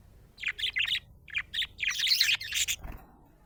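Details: Happy budgerigar chattering in rapid bursts of high, scratchy chirps and twitters, grouped in clusters with brief pauses, ending with a soft low thump.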